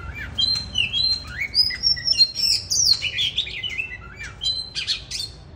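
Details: Song in the 'than' style from a mature wild-caught bird, winter 2023: dense run of bright whistled notes, upslurs and scratchy chattering phrases, rising toward the end, steady and lively, a soft low rumble beneath.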